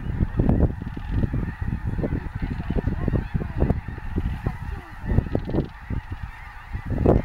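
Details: Wintering snow geese at Bosque del Apache National Wildlife Refuge produce an unbroken clamor of short barking honks from many birds at once, rising in loudness at the close.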